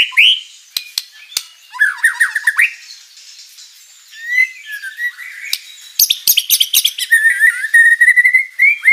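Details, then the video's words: Energetic white-rumped shama song rich in fill-in phrases, meant to provoke other shamas to reply; varied mix of sharp clicks, slurred whistles rising and falling, scratchy notes and a closing run of quick, even whistled notes. "MURAI BATU GACOR full isian materi mewah"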